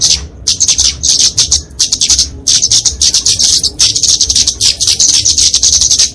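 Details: Fighting song of the kemade, a flowerpecker, for training and luring songbirds: bursts of shrill, rapid ticking at very high pitch, starting after a short silence and running in near-continuous phrases.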